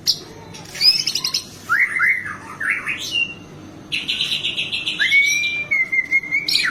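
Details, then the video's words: White-rumped shama in energetic song full of mixed phrases, used to excite and teach other birds: stuttering high buzzes, jerky slurred whistles, then a long harsh buzzy note and a sustained wavering whistle. "Komplikasi MURAI BATU Gacor Full isian bikin emosi burung PASTOL // cocok untuk master isian burung"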